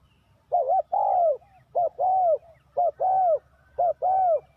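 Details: Decoy spotted dove calling to lure wild doves into a trap: mellow paired coos, a short note followed by a longer arched one, repeated four times about once a second.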